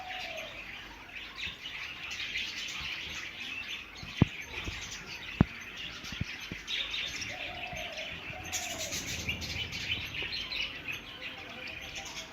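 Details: A colony of blue and green budgerigars chatters together in a steady stream of high, scratchy chirps and warbles.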